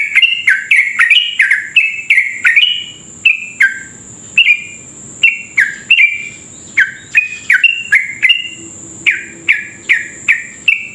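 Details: Sooty-headed bulbul in long, continuous rapid 'ropel' song, used as a lure to prompt other bulbuls to sing fast: quick bright whistled notes, some rising and some dropping, in bursts of chattery phrases, over a steady thin high tone.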